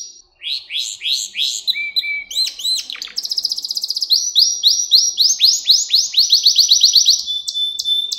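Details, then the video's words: Pet canary song for training young canaries: descending and rising chirps, a short low whistle, then a long accelerating series of bright rising notes ending in a level tone. "Ders Gibi Kanarya Sesi Ve Ötüşü"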